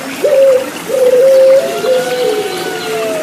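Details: Puter Pelung turtle dove cooing with babbling water, played to get caged birds singing again; a sharp rise into a strong held coo, a second coo, then a fading drawn-out tone.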